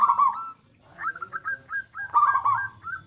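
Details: Zebra dove of local stock with a loud voice, used to draw other doves into song: a rolling coo, a pause, then spaced, slightly rising nasal notes and another burred phrase.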